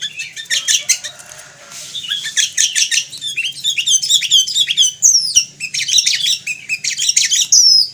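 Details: Sooty-headed bulbul, known in Indonesia as kutilang, singing a loud, busy stream of bright chirps, clear whistled slurs and quick twittering notes with hardly a pause, over a faint low hum.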